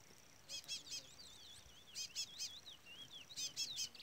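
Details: Brown-plumaged chestnut-bellied seed finch singing in the Trola (Trolinha) style: soft, wavering warbled phrases, almost drowned by loud, high, stacked peeping from a chick calling throughout in bursts of two or three.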